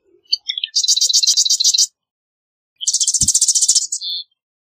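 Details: Two rapid, rattling marsh wren songs, each opening with a few sharp introductory notes and then a dense buzzy trill lasting about one second, separated by a short pause.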